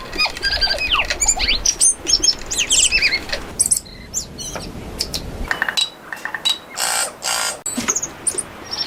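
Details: Tui, a highly territorial, socially active bird that vocalizes long periods through the day for defence, communication and display, sings a rich jumbled run of liquid whistles, quick sweeping notes and clicks, ending in harsh wheezy rasps and gurgles.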